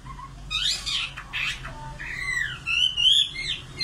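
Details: Singing common nightingale: a low soft note, then loud swooping whistles and slurred phrases, ending in a rapid rattling trill; low hum in background.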